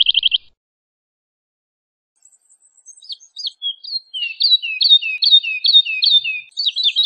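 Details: Woodlark song opening with a brief rapid trill, then a pause before soft high notes build into a rolling series of repeated liquid downslurred phrases, quickening toward the end.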